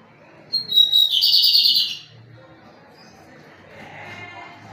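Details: Pirata song from a lined seedeater singing strongly: a short high whistle rising into a loud, grating buzzy trill, then faint background murmur.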